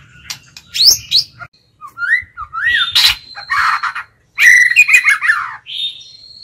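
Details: A White-rumped shama decoy bird sings to lure wild birds and provoke rivals: a rich, varied run of clear whistles, rising and falling slurs and harsh buzzy notes in quick bursts with short pauses.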